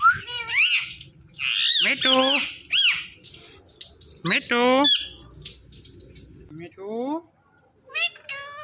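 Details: Talking Indian ringneck parakeets produce a series of squeaky, nasal, speech-like phrases with sharp rising and falling notes and a loud harsh screech near the middle, with short pauses between phrases.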